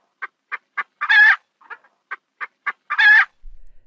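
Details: Domestic hen's alarm call, given to warn that a noise calls for caution and also right after laying an egg: short, evenly spaced clucks building to a long, loud, harsh squawk, the whole phrase repeated twice.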